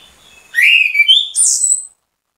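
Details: Orange-headed thrush, known locally as anis kembang, used as bait song to draw other birds into singing; a single clear whistled phrase rising and sliding upward to a high bright note, about one and a half seconds long, with no other sounds.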